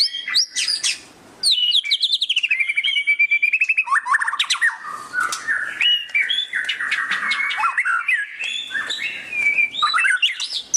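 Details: White-rumped shama in loud ngeriwik chattering: opening high twitters, a short gap, then a long burst of rapid stuttering notes repeated many times a second, mixing harsh scratchy tones with whistled slides.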